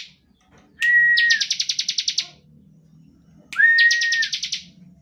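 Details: Bar-winged prinia singing a standard 'ngebren' song meant to provoke other prinias into song: two phrases, each opening with a clear level whistle, then a fast buzzy trill of about a dozen evenly pulsed notes.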